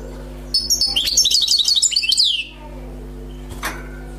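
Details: Wild-caught European goldfinch song, described as free of mistakes: a two-second run of fast, high, jingling twitters and sliding liquid notes, then quiet with one soft click and a constant low background hum.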